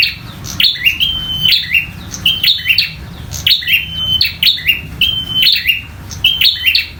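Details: Bar-winged prinia, a local bird, singing actively while fighting. About one burst per second, each with clicking snaps, a high sustained whistle, and a short falling tail, in an even rhythm.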